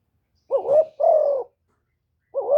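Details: Spotted dove decoy call meant to irritate wild doves: a short wavering rising coo followed by a long, steady, slowly falling coo, then the next phrase begins.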